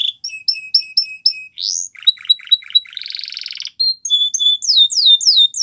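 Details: Belgian canary song with repeated paired whistled notes about four per second, a rising slur, stuttered chips, a dense buzzy trill, then cascading high upswept whistles.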